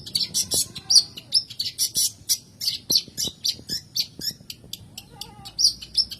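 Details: Long-tailed shrike song, played as a lure to coax reluctant shrikes into singing: a dense, steady run of sharp, high, harsh chips, roughly three to four each second, with a few whistled slurs between them.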